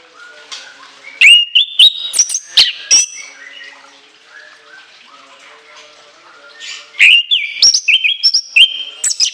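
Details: Shrill song of an orange-headed thrush, loud rapid phrases of stepped whistles and sharp chips, a softer twittering pause, then another burst of high ringing notes that climb and drop.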